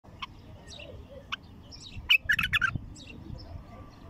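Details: A wild bulbul, in early song, gives a few scattered chirps, then a quick, bubbly burst of five or six liquid notes, over a low background rumble.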